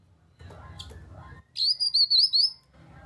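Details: Grey-cheeked bulbul phrase used to coax other kinoi into singing: a brief soft chirp, then a clear, high, undulating whistled run of about six pulsing notes lasting around a second.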